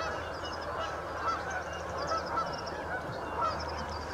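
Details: Canada geese flocking at St Anne's Lagoon: a busy background of overlapping honking with a few louder, clearer honks standing out now and then, plus low rumbling noise underneath.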